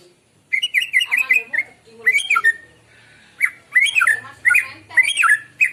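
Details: A white-rumped shama sings in the morning, a recording meant to lure birds: after a short quiet start, quick bursts of whistled, twisting notes with squawky edges come in groups, pausing briefly between, loud and close.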